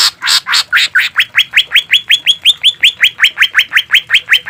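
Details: Cucak ijo, the green leafbird, in a caged-bird tutoring recording: a few rough, buzzy notes, then a long rapid run of sharp upslurred whistles, about four per second, evenly spaced.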